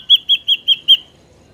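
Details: Ashy drongo, a natural recording used as a lure for trapping drongos: five clear whistled notes around the same pitch, evenly repeated about every fifth of a second, then silence.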